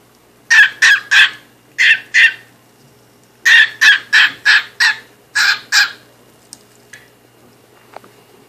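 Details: Pet cockatiel chattering inside a box: harsh, raspy calls in quick bursts of two to five, about thirteen calls over eight seconds with short pauses between groups, then quiet with faint scratching.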